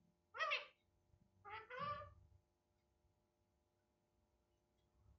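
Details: Indian ringneck parakeet that talks, known to say Hindi words like 'papa' and 'Radhe Radhe'. Two brief throaty speech-like utterances with rich harmonics are followed by quiet room background.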